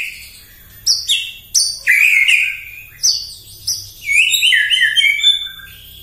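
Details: In the morning a white-rumped shama sings in full voice, used to stir up other birds; crisp high whistled notes and sharp ticks come in quick succession, ending in a rich rolling phrase.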